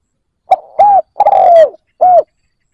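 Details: Decoy spotted dove luring wild doves with its coo: one phrase of a clipped opening note, an arched coo, a long descending coo and a short arched closing coo, recorded in quiet.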